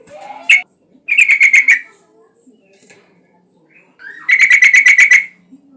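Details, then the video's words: Yellow-vented bulbul singing hard as a lure to prompt other bulbuls to answer: two rapid bubbly runs of about eight throaty notes each, separated by a short pause, with a soft lower note at the start. "Suara pancingan burung trucukan gacor agar bunyi"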